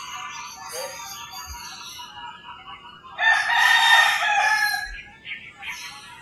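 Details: Rooster crowing at early morning in rural Philippines: after several seconds of mixed bird chirps, a loud hoarse crow bursts in and holds about one and a half seconds, then birdsong resumes.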